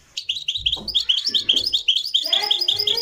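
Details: Marrakchi song of a Moroccan goldfinch, recorded live: an unbroken sequence of quick, bright, chirping notes repeated several times a second, with a faint murmur beneath.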